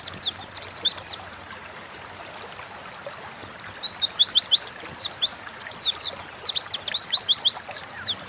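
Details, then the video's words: Caged Oriental white-eye from Indonesia singing short bursts of high, quick, falling whistles; one brief phrase, then a two-second silence, then a longer run of rapid chirping notes to the end. "Burung pleci gacor ngalas pancingan bahan agar cepat bunyi"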